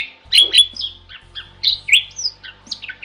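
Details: Bali myna, a protected species increasingly rare in its wild habitat in Bali, in a tutor recording: a short burst of harsh chattering and squeaky notes, some with a bright whistled tone near the top, delivered in quick uneven bursts.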